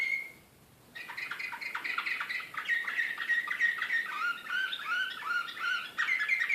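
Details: Canary of the Srpski slavujar song style from Belgrade, 2014, singing excitedly: after a brief pure note and a short pause, a fast run of repeated chirps and whistled trills around the middle range, with slurred descending notes.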